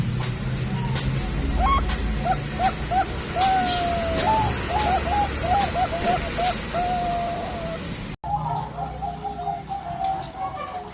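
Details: Bangkok perkutut male zebra dove sings for a female: a few spaced introductory coos, then a fast string of short, bubbly cooed notes. A sudden cut is followed by more cooing over low rumbling background noise.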